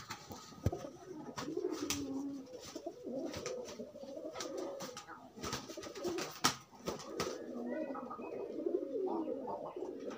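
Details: Courtship among free pigeons pairing up: soft, muffled rolling coos under frequent sharp clicks and taps, with a few faint higher chirps near the end.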